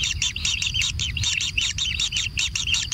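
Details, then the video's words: Kingfisher chicks at a natural nest being fed, calling in rapid rasping high-pitched bursts, repeated about once a second over a low background rumble. "Anak Tengkek Diberi Makanan Semakin ExTrim - Natural Kingfisher Bird Nest"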